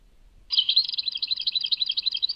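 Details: European goldfinch song labelled Tadmait: after a brief quiet start, a fast, dense twittering of high, tinkling notes runs on without a break.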